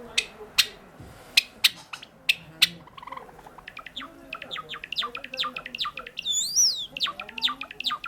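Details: Pet sakura-variety Java sparrow singing: a run of sharp dry clicks every half second gives way to rapid high chirps and twittering notes, ending in a few bright looping whistles.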